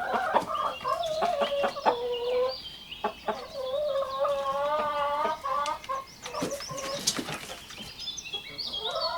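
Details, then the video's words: Rooster among chickens and rabbits foraging in grass, giving long drawn-out harmonic crows of about two and a half seconds each, twice, amid scattered clucks and sharp peeps from the flock. "Rooster crowing sound"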